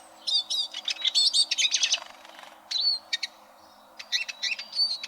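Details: Eurasian siskin song meant to tutor competition canaries: a dense burst of high twittering, a pause, then sparser sharp chirps and slurred whistles.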